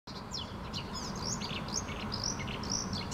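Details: Unseen songbird singing deep inside a bush in Helsinki, Finland; quick high chirps and short down-slurred whistles in rapid succession over steady low traffic-like rumble.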